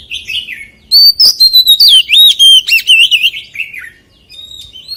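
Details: White-rumped shama singing a forest-style song: a dense, loud sequence of rapid whistled notes, slurs and warbles following one another, fading into softer scattered notes at the end.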